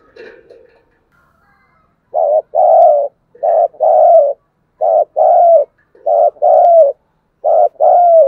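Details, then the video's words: Cooing of a spotted dove used to encourage caged doves to call: after a faint muffled opening, paired hoarse coos begin, a brief note then a drawn-out slurred one, repeated at an even pace. "Mưa gió Cu bổi và mồi không chịu gáy mà mở vdeo này thì khỏi phải bàn"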